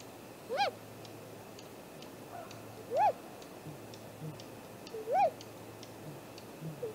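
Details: From the nest-tree camera at 7:15 am, 2 April 2018, a great grey owl gives three clear arched calls, each a quick rise and fall, roughly two seconds apart, over quiet background.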